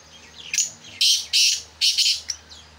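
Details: Black francolin, being prepared as a caged call bird, giving a loud, harsh, grating call of four or five rasping bursts within two seconds, high-pitched and scratchy over a quiet background.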